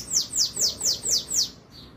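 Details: Bananaquit song recorded on Wednesday morning, 13 March: five piercing high notes, each a fast downward swish, spaced about a quarter second apart, then a short faint trailing note; otherwise quiet.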